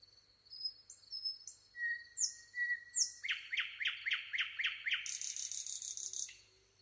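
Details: A nightingale's song: high whistles and upward sweeps, a soft mid-pitched note, then a loud run of about eight sharp repeated notes and a fast rattling high trill.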